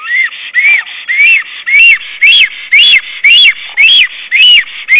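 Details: Black stork at its nest on 22 April 2009, calling for its mate while placing twigs and moss, recorded by nest camera. Loud, regular series of rising-falling whistled notes, nearly two per second, each note strong and clear.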